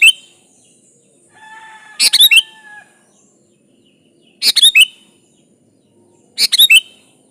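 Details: Song of a sooty-headed bulbul in full voice, played to draw out a rival: three complete bubbly chirping phrases about two seconds apart, soft drawn-out whistles from another bird heard faintly between them.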